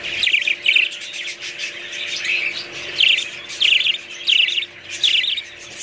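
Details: Budgerigar chirping: short, harsh, high chirp bursts come about every half second to second, with quieter twittering between them.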